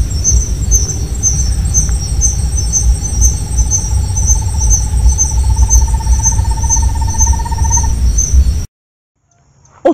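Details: Tawny-bellied Screech-Owl at night in the Caatinga of the Alagoas sertão, Brazil: a long, even trill of soft hoots rising slightly in pitch for about seven seconds, over steady high insect buzzing and low rumble.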